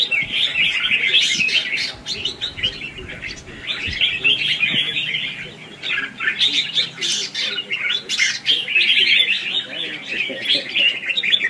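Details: Red-whiskered bulbul in competitive 'ché' and 'xòe' style singing, used as a lure bird for trapping and training. Dense, chattering, warbled phrases pour out almost continuously, with brief louder bursts and faint background noise.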